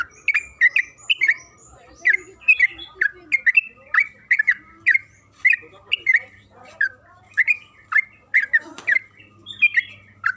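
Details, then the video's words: Yellow-vented bulbul (trucukan kebo) in lively, long rapid chattering song used as a lure to make the bird sing: a steady stream of short, bright, slurred notes, roughly two to three per second, with a faint low hum beneath. "Suara burung TRUCUKAN KEBO Gacor ropel Panjang"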